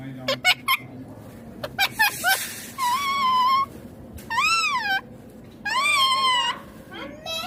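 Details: Pet green ringneck parrot giving several clicks and short squeaks, then three long, rich, arching whistled calls that rise and fall smoothly, each lasting nearly a second, separated by short quiet gaps.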